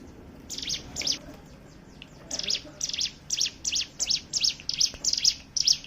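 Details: Ciblek gunung, the hill prinia, singing as a lure to get other birds to sing: a couple of high chips, a brief lull, then a steady chain of sharp descending notes growing louder toward the end.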